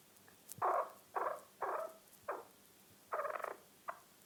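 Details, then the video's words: Chukar partridge uttering a few loud, throaty clucks at irregular intervals, each note short and rough, with a slightly longer stuttering note near the end and a quiet background. "Chokor Best Calling"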